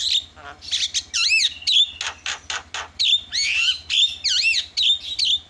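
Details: Javan myna lure meant to draw calls from other mynas: a busy mix of looping whistled notes and rough, buzzy squawks, delivered almost without pause.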